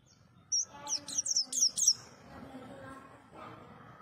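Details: White-eye singing, known locally as pleci: a brief burst of high, sweet chirps and quick descending twitters lasting just over a second, then a low background hum.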